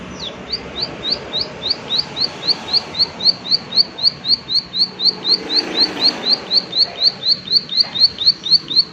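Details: Prinia giving its 'klik klik' call, a steady run of sharp, high, downward-flicking ticks, about four each second, for the whole stretch over soft background hiss.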